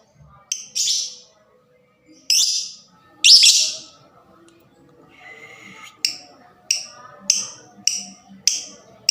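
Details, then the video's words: Lovebird fighter sound to trigger other lovebirds: three long harsh shrill screeches, then a faint trill and a fast series of six short sharp chirps about half a second apart. "LOVEBIRD FIGHTER SUARANYA CEPAT BIKIN EMOSI DAN JITU MERANGSANG BUNYI SEMUA JENIS LOVEBIRD"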